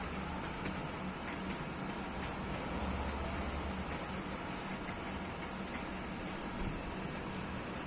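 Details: Steady broadband rumble and hiss, like a passing train or engine, with faint clicks and no animal calls.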